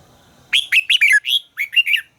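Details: Red-whiskered bulbul singing during voice training: a single loud, connected warble of about eight bright, slurred notes rising and falling, lasting around a second and a half.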